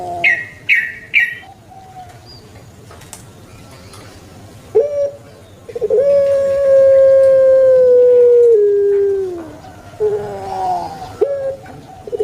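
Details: Puter pelung turtle dove, a pet breed known in Java, Indonesia, with scattered short clicks and coos before a long sustained mellow tone of about three seconds that falls at the end, followed by softer broken coos.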